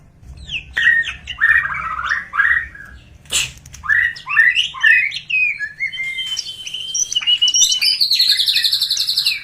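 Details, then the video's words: Greater green leafbird in a varied song meant to set other birds singing: quick chattering whistled notes, one loud sharp snap, then more chatter leading into a sustained buzzy rapid trill. "PANCING BURUNG CAK HIJAU CEPAT BUNYI!!"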